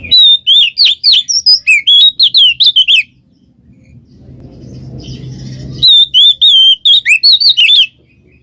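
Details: Kacer (Oriental magpie-robin) giving ngeplong ngekek song to coax a reluctant bird: two long bursts of rapid, varied whistles, squeaks and slurred chirps, with a pause of swelling low noise between them.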